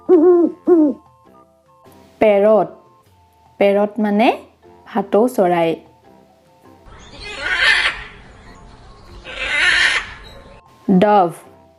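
An owl gives short, quavering, mid-pitched hoots in quick bursts, with two long breathy hisses in between and a final wavering hoot.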